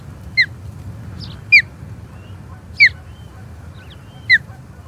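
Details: Osprey at its Charlo nest on 21 April 2022, contesting an intruding third osprey: four sharp, clear downslurred whistles at uneven intervals of about a second, with faint softer notes and low hum between.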